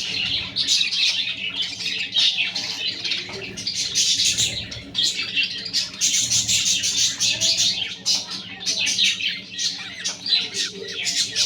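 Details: Budgerigars with their chicks give a dense, continuous chatter of high, scratchy chirps and squawks, overlapping without pause throughout.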